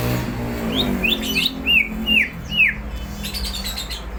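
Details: Greater green leafbird, described as singing eagerly and ready to fight, giving a few quick chirps then three loud arched whistled notes, each rising then falling, spaced about half a second apart, followed by softer chatter.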